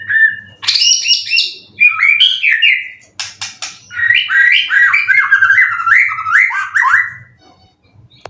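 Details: Caged white-rumped shama, a contest bird with twelve wins that has moulted three times, in Indonesia, singing loud, fast whistled phrases that sweep up and down, dense runs of rapid slurred notes with short pauses between bursts.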